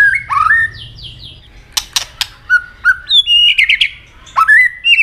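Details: White-rumped shama delivering fighting song: descending whistled series, two hard click snaps, then a varied string of short whistles and buzzy notes rising into a bright final phrase.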